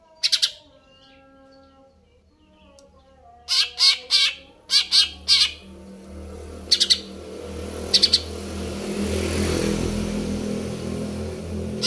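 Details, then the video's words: Greater green leafbird in full song: short clusters of harsh, rattling high notes in several bursts, then a rising wash of broadband noise drowns the later part. "cucak ijo"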